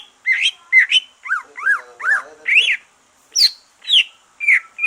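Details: Green leafbird song after moulting, used to spur other birds to sing: loud, separate whistled and chevron-shaped notes, some rising then falling, given in short phrases with brief pauses between them.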